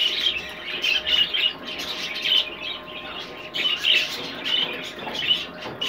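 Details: Rainbow clearwing budgerigars; continuous high chirping and warbling chatter in bursts, with a steady faint hum underneath.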